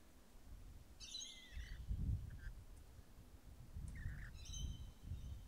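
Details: Rainbow lorikeets eating grapes give short harsh screeching bursts, one near the start and a pair later, with rough buzzy tones over a steady low rumbling noise throughout.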